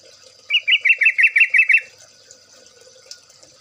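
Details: Yellow-vented bulbul (trucuk) song for luring other birds: eight or nine rapid, bubbly notes in a smooth rolling series, followed by quiet with a faint steady high tone.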